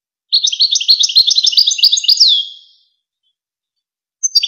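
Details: European goldfinch singing in the Wakr Touzgha style, a recording used to teach young goldfinches and hybrids: a rapid, liquid twittering phrase of about two seconds, ending in a drawn-out descending slur, then brief chirps after a pause.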